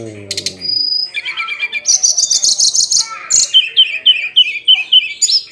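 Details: Hill blue flycatcher (tledekan gunung) daily song: a few quick high chirps and one steady whistle, then rapid chattering trills, ending in a series of short downslurred whistles repeated about twice a second.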